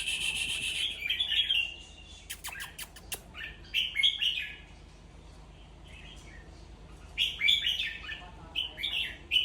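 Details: Red-whiskered bulbul singing to get other bulbuls excited: short bright chirping phrases separated by pauses, a cluster of sharp clicks early on, a quiet stretch, then rapid chattering notes at the end, with faint low hum.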